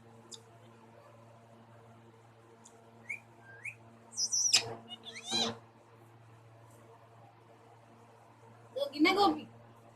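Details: A pair of pet parrots giving a few faint rising peeps, then sharp high shrieks and a rasping burst mid-clip, quiet pause, and a final loud harsh call; low hum underneath.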